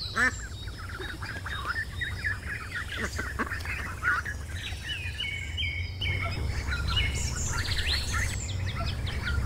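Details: Mallard ducklings about six hours old, hatched overnight in a nest in a backyard banana bush. Many high, thin peeping chirps, rapid and overlapping, run throughout over a steady low background rumble.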